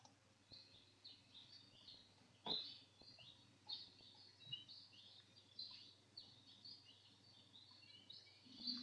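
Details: Maui alauahio, or Maui creeper, a small insect-eating honeycreeper found only on the east side of Maui: faint, high, short chirps and slurred notes repeated irregularly over steady background hiss.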